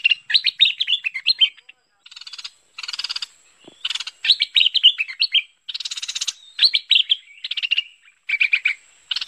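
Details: Bulbul lure call from 2021, merbah pet pet or lekir. Lively phrases of tumbling, slurred chirps alternate with harsh buzzy rasps, one after another with short gaps, and several birds seem to overlap.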